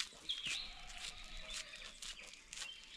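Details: Birds chirping in a forest during a morning walk with a Labrador; a brief high chirp with a quick dipping then rising note, over soft background hiss and light rustling.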